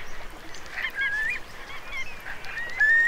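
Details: Eurasian curlews from a flock of around 3,000 taking refuge in wet meadows at Marquenterre, Bay of Somme, during a high-coefficient high tide, 7 October 2021. Blurred whistling chorus with a few clear upward-sliding whistles.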